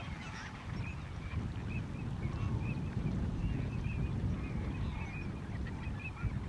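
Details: A flock of Eurasian teal (Anas c. crecca) at Lac d'Orient, France, in November 2022, giving short, high, whistled 'krick' notes, several each second and overlapping, over a steady low rumble of wind or engine.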